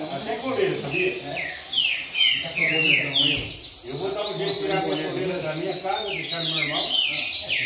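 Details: Double-collared seedeater, rain-song style, sung steadily: repeated high, downward-sweeping whistles in short bursts, over a man speaking fairly clearly at a lower pitch.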